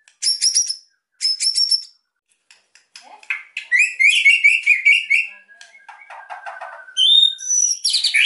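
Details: White-rumped shama singing to provoke silent birds: two rapid high trilled bursts, then a flowing run of varied whistled and chattering notes with a bright whistle near the end.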